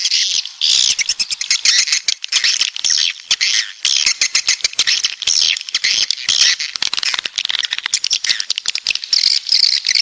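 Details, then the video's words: Many 'walet pantai' swiftlets from the south twittering, bursts of high buzzy chatter broken by brief gaps, with quick clicking notes running through. "Suara Walet Pantai Dari Selatan"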